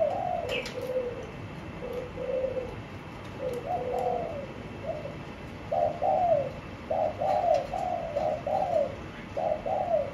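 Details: Spotted dove kept in a cage, starting with quieter falling coos that grow into louder, steady husky phrases. Faint clicks and a brief high note are heard early on.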